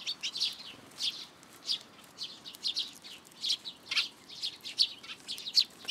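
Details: Sparrows flying in to a plum tree at a Tenmangu shrine to be fed, 17 June 2022: a busy stream of short, high chirps and tweets, several birds calling over one another in quick, uneven bursts.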